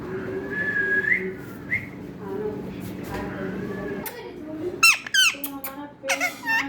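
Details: Talking parrot whistling short upward-bending notes, followed by muffled voice-like sounds and then bursts of abrupt, harsh squawks and squeaks.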